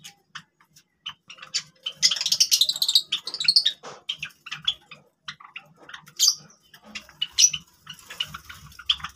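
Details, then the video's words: Java sparrows giving busy twittering chatter: irregular bursts of sharp high chips and buzzy notes with occasional louder squeaks, soft low tapping throughout. "java sparrows sound"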